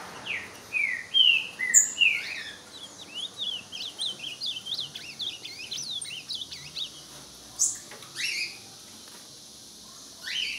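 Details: Ultramarine grosbeak singing at another bird, starting with a few clear sliding whistled notes, then a dense run of rapid high chirps from other birds and a continuous high insect buzz.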